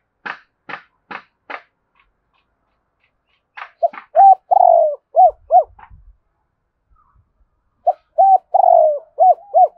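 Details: Several sharp tapping or clicking sounds open the recording, then a spotted dove coos twice. Each phrase has short round notes and a drawn-out, wavering falling note, ending in paired arched coos.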